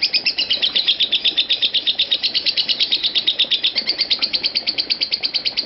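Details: Lovebird ngekek, part of an uninterrupted five-minute trill: loud, rapid, high chattering notes at a steady rate, some doubled, filling the whole stretch.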